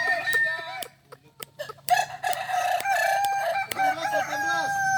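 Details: Several Kokok Balenggek roosters competing in Solok, Indonesia, September 2024, crow in layered, undulating phrases with repeated rising and falling syllables, broken by scattered sharp taps.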